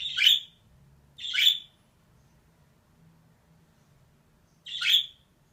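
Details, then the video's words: Raspy squawks from a female budgerigar: two harsh calls about a second apart, a long silence, then a third call. "DİŞİ MUHABBET KUŞU SESİ"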